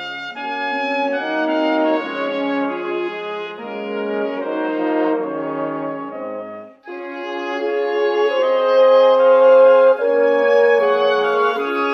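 Brass instruments play a loud, sustained melody of rich horn-like tones with a brief break midway, and no animal sound is heard.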